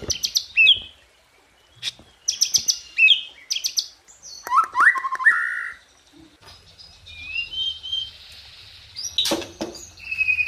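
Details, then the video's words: White-rumped shama (murai batu) singing in broken phrases: sharp high clicks and ticks, a loud slurred whistle, then a thin drawn-out high note ending in a quick sweep, with quiet gaps between bursts. "Dahsyaaatt Tembakan & Isian Murai Batu // AmAzing Bird chirping like no tommorow"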